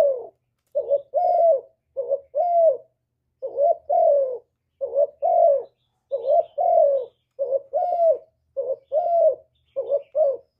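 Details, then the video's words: Spotted dove singing a long run of its 'hap boi' song, with calling, urging and cooing parts, recorded without background noise: about ten evenly spaced low phrases, each a quick note and a mellow downslurred coo. "Cu Gáy Giọng Hạp Bổi ĐỦ BÀI (GỌI +THÚC + GÙ)"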